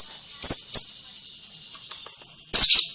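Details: Lovebird in ngekek song, short sharp high chirps at the start, faint twittering in the middle, then a loud dense buzzy trill burst at the end.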